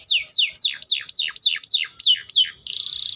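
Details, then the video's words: Canary song: a run of loud descending whistled sweeps, about four per second, each falling from high to lower pitch, ending in a short rapid buzzy trill. "THE VOICE OF THE CANARIA SERINUS"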